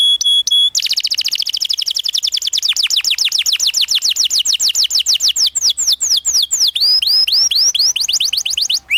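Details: Canary song used as a master recording for training young canaries: after a few pure steady whistles, a long fast roll of downward-sweeping notes, about three or four a second, gradually speeding and rising, ending in curved whistled slurs.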